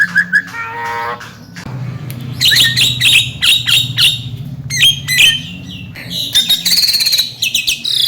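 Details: Javan myna performing mblegedeg-style song to trigger non-singing mynas: a short harmonic note, then harsh squawky bursts, high whistles and fast rattling trills, delivered in varied, irregular phrases.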